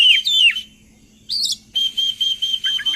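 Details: Oriental magpie-robin lure song for making birds sing along: a descending whistled slur, a brief harsh burst, then a series of short high whistles repeated about every quarter second with falling notes at the end.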